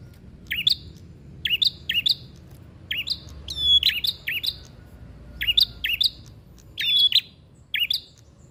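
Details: Visiting prinia outside the cage singing a fighting song: emphatic, clipped two-note phrases repeated roughly every second in bursts, with quiet gaps between.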